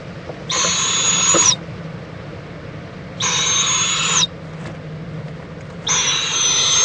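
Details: Mother owl and owlet preening together in Indiantown, Florida, 11:45 AM on February 26, 2014; three rasping, breathy screeches, each about a second long and steady in pitch, spaced roughly two and a half seconds apart.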